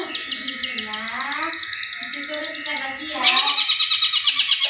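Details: A long-tailed shrike pours out a rapid rattling trill of high notes imitating the tengkek buto, as a lure for reluctant caged birds. A lower murmuring voice runs beneath it, and the trill resumes after a brief break.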